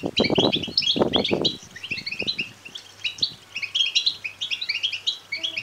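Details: Begging of European goldfinch chicks, intended to rouse males to song and mating. Thin, high twittering chirps run throughout, opening under heavy low thumping knocks during the first second and a half.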